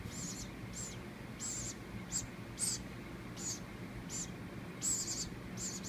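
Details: Baby woodpecker that fell from its nest in a palm tree, hand-raised and being fed moist cat food from a paintbrush; high, hissy, buzzy begging bursts repeated in short irregular runs over a low hum.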